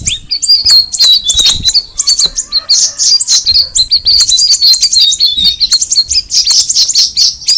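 Straw-headed Bulbul giving a continuous, high, bright chattering song of rapid overlapping whistled notes, with short breaks near two and five seconds.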